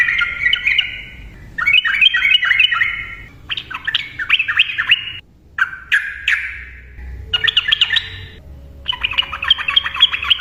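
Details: Yellow-vented bulbul in rapid 'ropel' singing, used to trigger silent birds to sing: six bubbling chattering phrases of one to two seconds, separated by short pauses.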